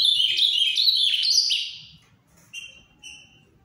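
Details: Ultramarine grosbeak of the Paraná type: a rich, fast warbled phrase of high sliding whistles lasting about a second and a half, followed by a pause and two short, clear whistled notes. The background is otherwise quiet.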